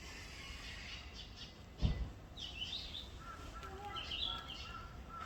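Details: Yellow-rumped flycatcher calling in Gusan-dong: two short, high chirped bursts a second or so apart, each with quick slurred notes, over steady background hiss, a low thump, and faint lower tonal notes from elsewhere.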